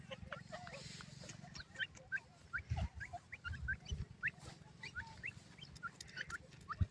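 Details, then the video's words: A Grey Francolin (dakhni teetar) gives short, sharp, high, piercing rising notes in a quick irregular series over a steady low rumble and murmuring background. "dakhni teetar sound"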